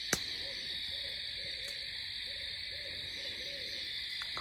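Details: A barred owl at night near a remote backwoods campsite, its second call of the night, gives a faint run of about eight low, rounded "who cooks for you" hoots at an even pace over a steady high insect chorus.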